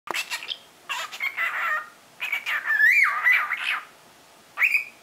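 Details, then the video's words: A three-month-old cockatiel, which likes to spread its wings while talking, chatters in short bursts of mimicked speech, mixing squeaky syllables with warbled, rising whistles, with brief pauses between phrases. "オカメインコ 翼を広げてしゃべります。"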